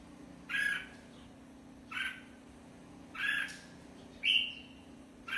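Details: Red-whiskered bulbul producing five short, rough whistled notes at roughly one-second intervals, fairly soft against a hissy background and a low steady hum.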